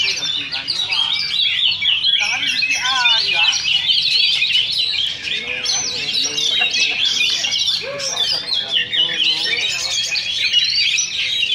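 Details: At a Sunday practice contest in Sindanglaut, duelling Oriental magpie-robins pour out long, unbroken high song: fast chirps, whistled slurs and trills layered together, with a crowd talking throughout.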